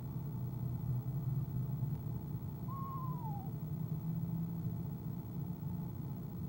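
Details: Female eastern screech owl trilling in a nest box at 6:00 pm CST on January 25, 2015, shortly before leaving: a single smooth, wavering note that slides downward, over a steady low hum.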